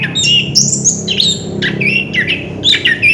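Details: Orange-headed thrush delivering short bursts of its rolling song: harsh, squawky high notes mixed with downward-slurred whistles, in three or four quick clusters over a steady low hum.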